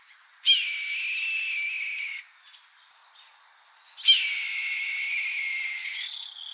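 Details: A red-tailed hawk in Kentucky gives two long, hoarse screams, each about two seconds and dropping slightly in pitch, about three seconds apart, with little else heard.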